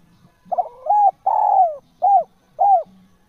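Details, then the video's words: Natural, persistently calling spotted dove: a clipped double note, a level coo, a long descending coo, then two short arched coos, with soft low hum underneath. "SUARA TEKUKUR GACOR JOSSS AMPUH TEKUKUR ALAMI"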